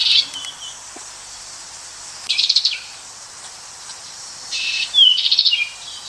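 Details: American goldfinch with bursts of rapid buzzy twittering and a short downslurred whistle, separated by quiet pauses and a faint hiss.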